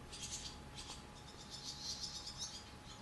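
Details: Barn swallows in a cow barn, nestlings in the nest with adults flying in and out to feed them, give faint, high, scratchy twittering and rattling chatter in quick bursts over a steady low mechanical hum.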